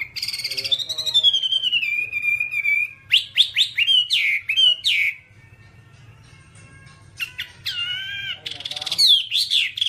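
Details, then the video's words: Whambie singing in a one-hour nonstop training track for caged birds: a long descending whistle, then a volley of quick sharp chirps, a quiet pause, and a resumed burst of warbling whistles and squeaks. "Masteran Whambie nonstop 1 jam"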